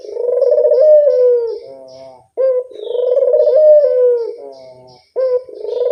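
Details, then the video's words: Barbary dove giving a lure call: rolling, throaty coos with a drawn-out, slightly rising then falling note, repeated about every two and a half seconds, with quieter lower tails between phrases. "Suara pancingan burung puter yang anggun"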